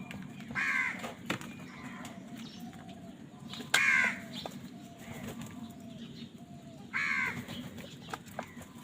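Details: [['Crow fighting for food gives three coarse caws roughly three seconds apart. Sharp clicks are heard between them over a steady low hum.']]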